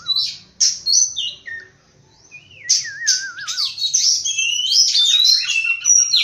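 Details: Oriental magpie-robin morning song: scattered sharp chirps, then a lower wavering whistle, building into a fast run of bright, overlapping whistles and twitters.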